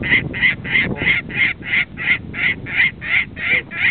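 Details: A Saker falcon at an artificial nest in central Mongolia, summer 2007, gives a harsh, rasping call about three times a second in a steady, even series, over low rumbling wind noise.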